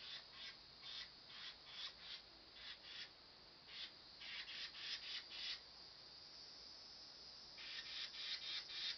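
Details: Carolina wren scolding with a fussing call: bursts of harsh, rasping chatter notes about three per second, pausing around six seconds before resuming.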